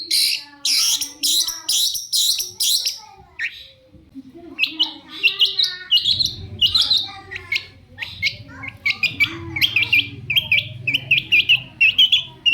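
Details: Long-tailed shrike lure song meant to draw answers from rival shrikes: a rapid string of harsh scratchy notes, then a busier jumble of chattering and mimic-like twittering over a low humming background.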